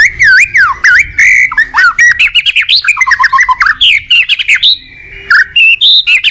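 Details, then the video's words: White-rumped shama in full, lively song, a recording meant as a master track to stir untrained shamas into singing: fast, varied run of rich whistles, sweeping up and down, interspersed with short chirps and squawky notes, nearly continuous for six seconds. "Masteran burung MURAI GACOR bagus buat Pancingan MURAI BAHAN"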